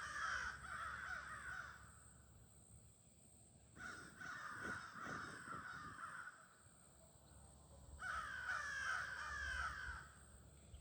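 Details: Gathering crows near evening on an August day: three loud bursts of raucous, overlapping caws, each lasting about two seconds, separated by quieter pauses with softer low sounds.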